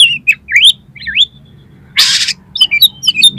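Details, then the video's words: Oriental magpie-robin (kacer) lure song meant to make another bird sing and fan its tail: looping slurred whistles, then a brief harsh rasping burst, followed by rapid varied high whistled phrases. "DALAM HITUNGAN DETIK KACER KALIAN PASTI LANGSUNG ON !!! MAU BUKA EKOR"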